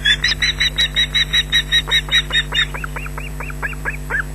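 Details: Nesting osprey at Loch Garten on 19 June 2012, early afternoon, alarmed by a nearby intruder: a rapid run of harsh, high shrieks, about two to three per second, turning into thinner upslurred whistles; a chick joins in; constant low electrical hum.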